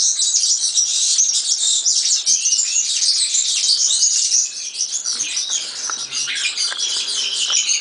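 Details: European serin delivering a long, breathless stream of high, tinkling and buzzing notes, fast and unbroken, dipping slightly in loudness midway before resuming.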